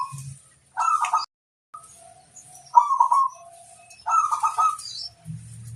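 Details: Local zebra dove master song for luring wild birds, with three short bursts of quick, bubbling coo notes at mid pitch separated by quiet pauses, and soft low thuds in between.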